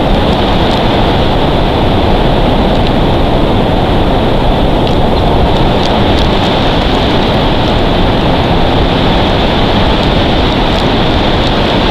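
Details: Steady, loud wind roar fills the whole stretch, with no animal voices heard.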